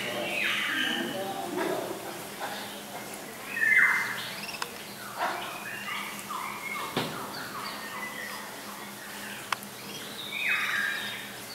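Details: Several lesser whistling ducks (Dendrocygna javanica), an aviary pair with ducklings at Walsrode, Germany, give thin, wheezy whistles in short falling notes repeated in overlapping bursts, over a faint background hum.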